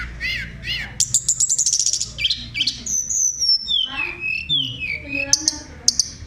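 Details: A Sunda robin's rolling, fluting song meant to stir other birds to sing: a couple of rising notes, a fast descending trill, then sliding whistles and sharp clipped notes.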